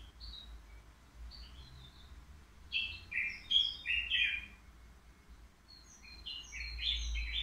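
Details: Three-year-old caged European goldfinch at the Qriaa bird market, described as singing without faults; quiet twittering notes open, then a loud burst of bright, tinkling trills and chirps, a lull, and another rising twitter; low market rumble underneath.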